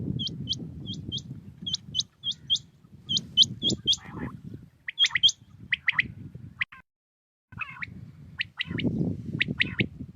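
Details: Common quail (batair) singing in the early morning in Pakistan: sharp, high, upswept notes in quick runs, then scattered rougher calls, over a steady low rumble of background noise, with a brief silent gap.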